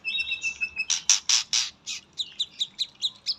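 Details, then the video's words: White-rumped shama singing: a brief, even whistled note, then a string of loud, sharp, high clicks and chips. These speed into a fast series of short, rising twitters, about four per second. "muray pastol isian katem"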